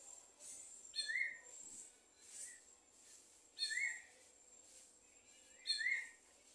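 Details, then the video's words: Wild Greyish Saltator (sabiá gongá) giving short, clear whistled phrases about every two and a half seconds, over a steady high insect hiss with faint distant chirps. "sabiá gongar"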